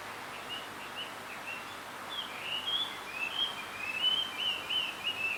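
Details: Male blue rock thrush seeking a female on a bamboo hill, giving a few soft whistled notes, then a louder flowing warble of fluted phrases rising and falling, against constant ambient noise.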